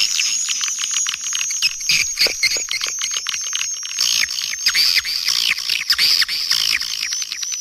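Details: Calling and roosting swiftlets from Kampar, Riau: many birds produce a loud, unbroken wash of shrill chirps and buzzy twitters, packed with fast ticking notes and brief louder bursts.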